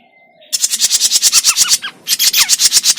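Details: Grey-cheeked bulbul used as a bird-trapping lure gives a fast, loud series of scratchy buzzing notes, about six per second, preceded by a faint thin whistle and briefly interrupted by descending chips.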